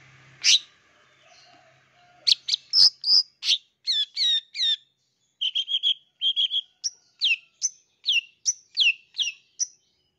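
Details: Long-tailed shrike song full of imitated phrases, played to young wild-caught forest birds in groups to get a fast response: varied whistled and buzzy notes, then clusters of short chips and down-slurred whistles in steady series.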